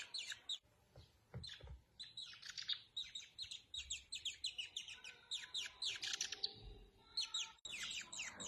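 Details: A young Chinese hwamei, a sick fledgling found in the wild and now recovered, gives a rapid, near-continuous stream of high, scratchy chirps, several per second, with soft handling bumps underneath.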